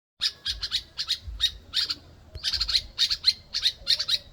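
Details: Two small birds in Ghana calling relentlessly; rapid bursts of sharp, squawky notes near high pitch, clustered in quick groups with short pauses, low rumble underneath.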